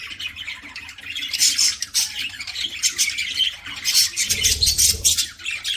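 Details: Loud continuous budgerigar chatter from a pet bird eating: a thick wash of harsh, buzzy chirps with a low rumble near the end.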